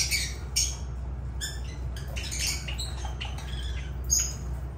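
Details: Agapornis lovebirds uttering brief, piercing squeaks and raspy squawks in irregular bursts, some notes slightly lower and buzzier, over a faint continuous hum.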